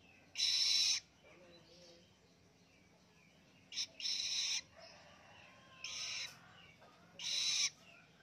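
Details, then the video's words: Independent young long-tailed shrike practising its song: four separate harsh, scratchy, buzzing bursts about half a second each, spaced two to three seconds apart, with faint squeaky notes in the gaps and a low background hum. "ANAKAN PENTET SUDAH MANDIRI ‼️ BELAJAR NGELOLO"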